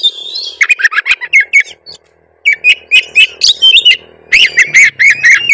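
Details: Oriental magpie-robin, a kacer tretes singing at full tilt with many fill-in phrases, used as a lure to provoke rival birds into song: rapid bursts of sharp, varied whistles and chirps in two bouts, with a short pause between them, over a low steady hum.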